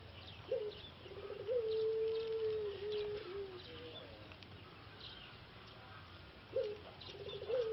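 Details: Caged male Pelung dove from a breeder in Solo, Indonesia, its voice lost after six months in a breeding cage, possibly from a cold, now kept alone under treatment; low drawn-out coos, one long wavering note, over rustling background noise.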